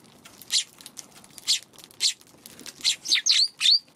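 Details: Wary Eurasian tree sparrows near a Godzilla figure at their feeding spot, March afternoon; single chirps spaced about half a second apart, then quickening into a tight cluster of rising notes at the end.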